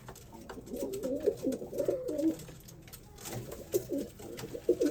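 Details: A white male pigeon courting a brown female in a zoo, doing a courtship dance, gives low, throaty rolling coos in two bursts, each a run of warbling notes lasting about two seconds, in a small enclosed space.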